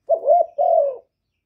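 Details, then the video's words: Spotted dove, kept bird calling to draw in wild doves: a single two-part coo, a wavering first note rising then falling, then a longer flat coo sliding slightly downward, no other sounds. "Cu gáy hạp bổi GÁY GỌI + THÚC + GÙ + BO kích bổi hiệu quả, cu đất gáy, tiếng cu cườm gù, cu bo"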